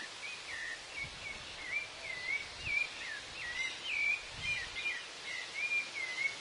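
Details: Rufous-bellied thrush singing in Argentina: short, clear whistled phrases, mid-high and slightly varied, one after another, faint beneath steady outdoor hiss; a chimango caracara is also heard.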